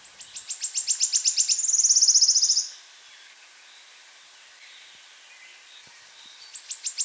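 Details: Wood warbler singing in an open hornbeam forest along a woodland path during the morning chorus: high ticking notes speed up into a bright, shivering trill lasting about a second, then a fresh series of ticks starts.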